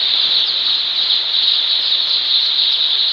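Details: Loud, continuous high cheeping from a mass of newly hatched baby chickens during their first day in a poultry farm brooder, a steady shrill chorus throughout.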